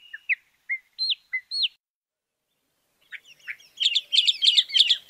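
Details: Chalk-browed mockingbird giving sharp, downward-hooked notes spaced apart, a silent pause, then a fast, dense burst of chattering notes.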